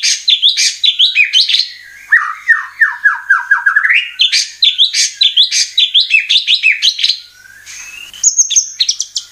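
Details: Singing white-rumped shama (murai batu) used as a lure to provoke song and repertoire: long continuous stream of rapid chattering and whistled notes, a descending series of repeated slurs, ending in high sharp chips.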